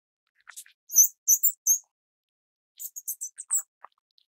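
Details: Grey-cheeked fulvetta of the subspecies morrisonia, Taiwan endemic, with chicks being fed: short bursts of high, thin, sharp chirps in two clusters, with soft lower ticks between them.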